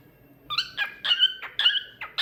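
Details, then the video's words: Cockatiel kept as a talkative pet, singing a string of harmonic whistles, some held and flat, others short and chirpy, broken by brief pauses. Nothing else is audible. "Cockatiel Talkative Bird 🕊️ Rio Adorable Singing"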